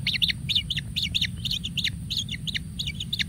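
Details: One kingfisher chick, fed generously: a fast, continuous series of short, high, sharp chirps, several per second and fairly even throughout, against a quiet low background hum.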